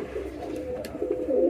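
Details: Pigeons kept on a farm in rainy weather, giving a low, soft cooing hum held steadily through the brief moment, with a few faint clicks in an echoing indoor space.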